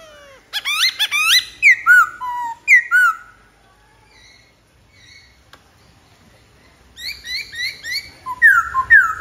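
A Black-throated laughingthrush sings loud, rich whistles and quick downslurred notes in two lively bursts, with a brief quiet gap between them.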